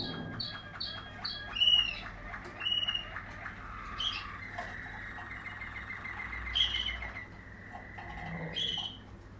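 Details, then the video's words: Waterslager canary of a 2020 line: clipped repeated chirps open into bright whistles, followed by a long low rolling trill broken by louder high notes. "Waterslager 2020 stam"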